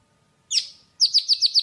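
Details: Java sparrow calling to its flock: one descending chirp, then a rapid series of five sharp, high chirps, each dropping in pitch, on a quiet background.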